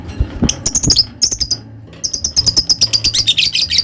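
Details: Lovebird chattering in quick, uneven high chirps, a brief pause and then a denser run of rapid squeaky notes, the 'ngetik' leading into 'ngekek' style, with low thumps and room noise underneath.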